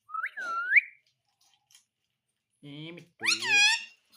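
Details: Pet parrot talking indoors: a clear rising whistle that swoops down and up again, then after a pause two short, harmonic, voice-like syllables, the second louder and wavering.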